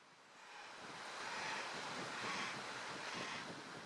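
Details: A steady rushing wash of wind or breaking waves rises and falls, with no animal voices.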